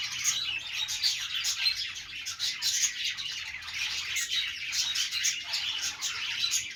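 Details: Budgerigars chattering happily as part of their daily morning routine: steady, bright, twittering warble with quick clicks and occasional thin whistled notes, many voices overlapping throughout.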